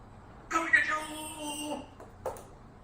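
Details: Pet grey parrot, playing in front of a mirror, talks in a drawn-out, voice-like phrase with a steady harmonic tone, then gives a brief sharp sound.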